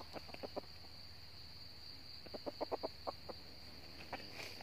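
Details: Red junglefowl in northern Vietnam near a decoy trap: soft clucks in small clusters, a quick run of four, then a longer burst of about six, beneath a constant high-pitched insect drone.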